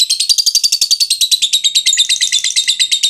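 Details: Lovebird in long ngekek chatter, played to spur other lovebirds into calling. A continuous, rapid stream of raspy, high, buzzy notes keeps an even fast beat of about eight per second throughout.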